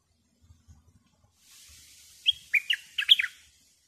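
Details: Bulbul used as a decoy to draw wild birds gives one short burst of rapid, liquid chirped notes after a soft hiss, lively and bouncing in pitch.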